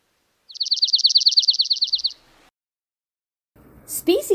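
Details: Dark-eyed Junco, the first spring migrant through southeast Saskatchewan and southwest Manitoba, gives a high even trill of about sixteen quick identical notes over a second and a half, then a person starts speaking.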